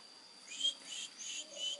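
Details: Long-tailed shrike chick, about three weeks old and hand-fed crickets, giving four quick, harsh, hissing begging bursts in under two seconds.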